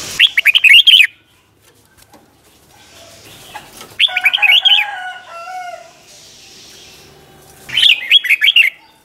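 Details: Red-whiskered bulbul singing a doubled ('bernle') style song, used for teaching young birds: three bright warbled phrases of quick rising and falling notes, with lower-pitched whistled notes from another bird in the middle.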